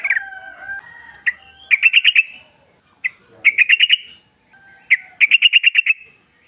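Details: Sooty-headed bulbul in full wild-style song, used as a lure to make caged bulbuls sing: short whistled phrases, then three bursts of rapid, evenly spaced chirps about every two seconds, with a faint steady high hum behind.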